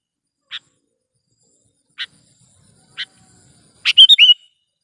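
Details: Kutilang, the sooty-headed bulbul, used as a lure sound for catching bulbuls and as a tutor recording: three isolated short chips spaced a second apart, then a brisk bubbling phrase of rising and falling whistles.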